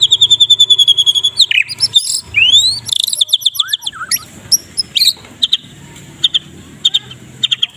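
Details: Medan-type white-rumped shama in morning 'kretekan' song used for tutoring other songbirds: a rapid string of high chattering notes, then swooping upward whistles, followed by scattered sharp clicks that thin out toward the end.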